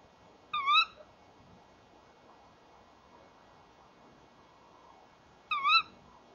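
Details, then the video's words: Tawny owls, a male and female pair, calling together at a nest box at 19:31 in the evening, the female entering the box. Two sharp, harmonic-rich screeching calls that rise then fall, about five seconds apart, over a quiet background. "Bosuil M en V roepen samen bij de kast"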